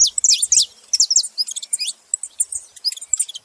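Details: Saffron finch giving bright, piercing chirps and quick slurred notes in an uneven, fast stream, loudest at the start and thinning to softer high ticks toward the end. The background is quiet.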